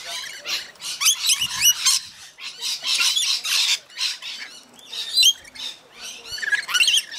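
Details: Crowd of rainbow lorikeets at a feeding frenzy, Mount Tamborine, Queensland, Australia: rasping screeches and chattering, with sharp rising notes repeated in uneven bursts and few gaps.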